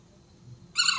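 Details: A baby Alexandrine parakeet on its first day with its keeper gives one short, harsh, raspy squawk near the end, after a near-silent pause.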